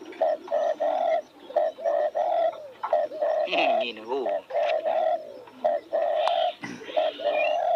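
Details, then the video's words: Spotted dove calling beside newly opened roses, a steady run of short mellow coos repeated roughly every second and a half, with a person's voice briefly heard midway and further doves faint in the background. "Nghe tiếng chim cu gáy hót cực hay"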